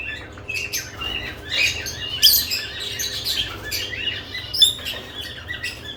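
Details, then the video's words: Lovebirds active at newly added nest boxes, giving soft twittering chirps and a few sharper squeaks in loose irregular sequence over low background hum. "Lovebirds add nest boxes activity & chirping sounds"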